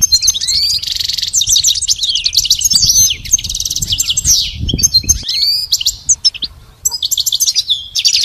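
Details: Pet goldfinch song training: lively, high-pitched twittering with buzzy rasps, swooping whistled notes and fast chirp series, a short pause near the middle, then renewed rapid phrases.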